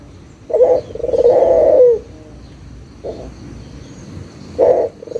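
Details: Barbary dove lure call to coax quiet doves into calling: a brief low note, then a sustained burring coo sliding down at its end, with two more short clipped coos after a pause.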